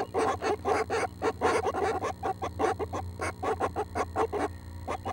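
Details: Loud, pulsing rasps from a nest of seven Northern Flicker nestlings on a June 12 morning at 6 am, a few days from fledging, given in quick rhythmic bursts several times a second.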